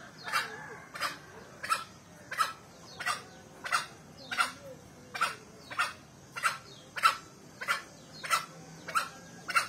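A male green junglefowl crows in short, harsh, clipped bursts, about fourteen in ten seconds at a steady, rapid pace, over a faint background hiss.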